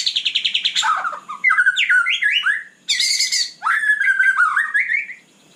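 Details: At night a white-rumped shama opens with a fast, evenly pulsed series of notes, then pours out zigzagging whistles and buzzy chatter in three energetic phrases.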